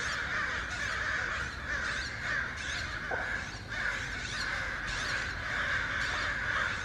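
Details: Many crows calling alongside other birds: rough, overlapping caws blend into an unbroken noisy chorus, with a few louder calls rising above it and a low rumble beneath.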